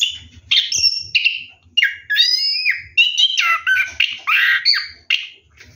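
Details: Orange-headed thrush bathing at night, singing a rolling ngeroll song: a fast, nearly unbroken string of varied whistles, slurred downward notes and chattering phrases.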